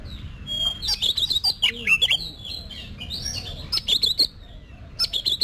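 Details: Oriental magpie-robin practising its competition song: dense, rapid sequences of clear whistles and sweeping chirps with crisp clicks between them.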